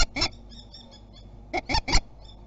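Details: Falcon at the Théding kestrel site defending its territory on 27 April 2021, giving harsh, ringing notes: a quick pair, a pause of over a second, then a rapid burst of three, over a low background hum.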